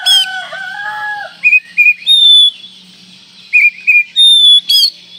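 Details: Oriental magpie-robin song of clear whistles: short rising notes in pairs followed by a long high sustained whistle, the phrase repeated twice; a rooster crows briefly at the start.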